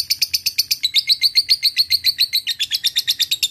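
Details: Lovebird in ngekek style, used as a lure to provoke rivals: a fast, harsh chattering run of about six sharp chirps per second, steady and unbroken for over three seconds, with a faint low hum behind.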